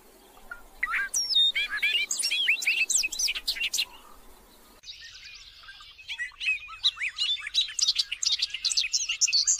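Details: Bobolink song, a long cascade of quick, gurgling and squeaky notes that rise and tumble together, given in two extended bursts with a brief break between them; faint background hiss.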